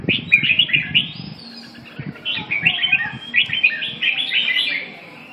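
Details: Red-whiskered bulbul delivering rapid runs of sweet, chattering whistled notes, nearly continuous with only brief gaps. Soft low thumps and a faint background hum are also heard.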